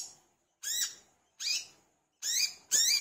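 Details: Olive-backed sunbird singing strongly to prompt other sunbirds: four sharp, high, rising and dipping chirps, the final two running almost back to back.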